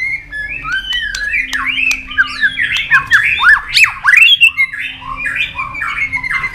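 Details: White-rumped shama flicking its tail and bobbing on its perch while singing in competition, long wild-style song: a fast, varied stream of clear whistles, slurred upsweeps and downsweeps and sharp chips, with a faint steady low hum beneath.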